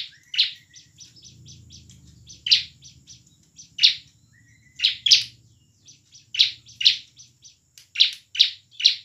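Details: Bar-winged prinia in energetic, emotional full song in the ngebren and nembak styles, used as a lure to make lazy or young prinias sing and fight; sharp high chips in rapid clusters, louder bursts roughly every second, faint low hum beneath.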